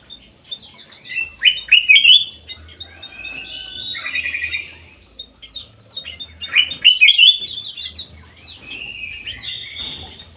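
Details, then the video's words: Aviary bulbul of the golden white-eyed type singing vigorously: two loud bursts of rich warbled whistles about five seconds apart, a chattering twitter between them and a faint low hum. "KUTILANG EMAS MATA PUTIH SUPER GACOR"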